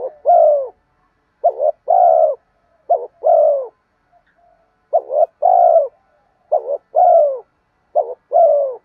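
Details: Spotted dove cooing to lure and excite wild doves: a steady series of six two-part phrases, a brief stuttering note then a fuller, slightly falling coo, with short pauses and a quiet gap midway.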